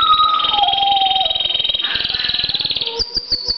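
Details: Pet canary singing: a long sustained high whistled tone over a fast rattling trill, lower whistles dropping in pitch, then a change to a slower pulsed rhythm of clipped notes near the end.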